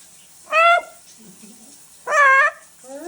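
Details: Chatty female pet macaw giving two loud, rich harmonic calls, a short one and then a longer, slightly wavering one, with a third call starting at the end and soft murmuring between.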